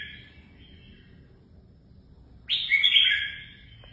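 A red-whiskered bulbul gives a faint opening note, then a loud, bright, warbling phrase of about a second and a half, over a low steady hum.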